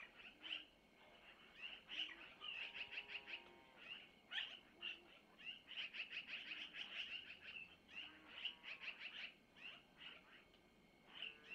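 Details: Long-eared owl owlets at a nest near Missoula, recorded by nest camera on 25 April 2024 around 05:05 as the mother takes food from the male to feed them; dense bursts of rapid high chirps with some lower drawn-out wavering calls.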